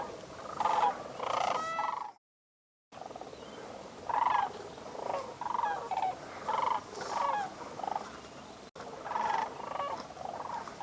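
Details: Flock of sandhill cranes calling near the shore at a cold December sunrise in Bosque del Apache National Wildlife Refuge, New Mexico; rolling, rattling bugle calls overlap in irregular bursts, with a brief gap of silence early on.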